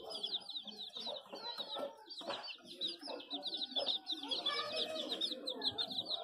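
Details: Chicks peep nonstop in high, thin, rapid cheeps that overlap into a shrill chorus, with soft low clucking and rustling underneath; chickens.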